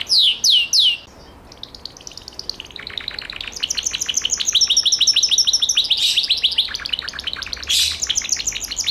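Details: Gloster canary song that opens with three loud descending whistles and a short pause, then builds into long, rapid, rattling trills that change tempo and pitch, with brief sharper accents.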